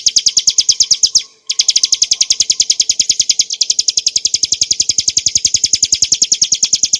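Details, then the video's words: Song of a Hill prinia for training cage birds: rapid ringing chips in long runs, broken by one short silence after about a second, then flowing on steadily, high and clear. "kicauan burung ciblek gurun untuk masteran & pancingan - suara jernih ngebren nembak"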